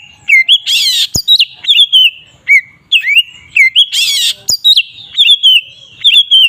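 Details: Ngeplong song of a magpie-robin (kacer), played to provoke rival magpie-robins: clear whistled notes that dip and rise, repeated rapidly, broken by two harsh raspy bursts.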